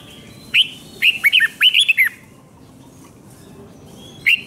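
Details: Thai red-whiskered bulbul giving the five-syllable 'double 2, double 3' song used to tutor young birds: one rapid phrase of bright, swooping whistles lasting about 1.5 seconds, then a single clipped note near the end.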